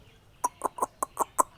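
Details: Talking Indian ringneck parrot repeating a short clipped syllable six times, roughly every fifth of a second, in a quiet room.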